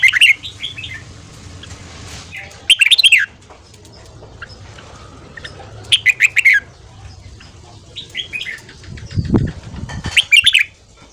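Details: Fast ché-style morning song of a red-whiskered bulbul for training and rousing newly caught birds: short bursts of loud liquid warbled phrases recurring every two to three seconds, with soft rustling and a low thump between.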